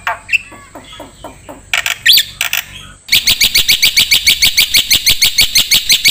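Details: Black-winged myna, a master recording used to train songbirds. A few scattered squawks and chips are followed by a loud, rapid, regular series of high, ringing notes, about three per second.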